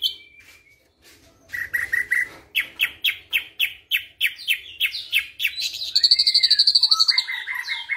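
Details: A captive white-eyed ashy drongo mimicking a flycatcher: a run of clear, repeated chirping notes about three per second, then a fast high trill and lower slurred phrases.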